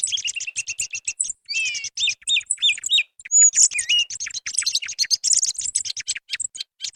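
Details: Song thrush song recorded for luring birds when hunting: fast run of bright, high chirps and whistled notes, with short upslurred and rising phrases in the middle, continuous and dense throughout.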